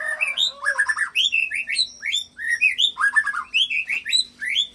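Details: White-rumped shama song with imitated cililin and canary long-roll fills, used to provoke other fighter shamas into singing. Rapid, varied whistled and slurred phrases rise and fall almost without pause, with a faint steady low hum beneath.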